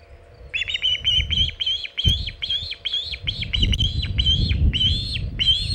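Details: Hog Island nest osprey with a big shad, 27 August 2019 around 3:50 pm EDT: a long unbroken run of about fourteen shrill whistled chirps, steady and repetitive, over soft low background rumble.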